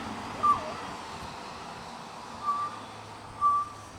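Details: Pied butcherbird at a bird sanctuary mimicking other birds: three short, clear whistled notes of steady mid pitch, spaced one to two seconds apart, over a low background hum.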